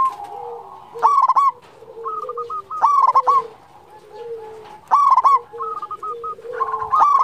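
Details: Local zebra dove in full song: loud rolling bursts of coos with a bubbling, stuttered opening, repeated about every two seconds, with softer lower coos from other doves in between.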